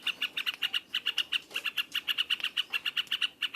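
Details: Yellow-vented bulbul delivering a loud ngropelpelpel song: crisp, high, clipped notes rattled off in quick succession, closely spaced and steady throughout the short burst.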